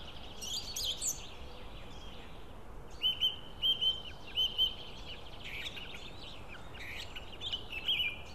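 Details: White-tailed eagles at a nest in Estonia, 16 April 2016, during feeding: a run of short, high, piping notes repeated about twice a second mid-clip, with fainter similar calls before and after, over steady outdoor background hiss.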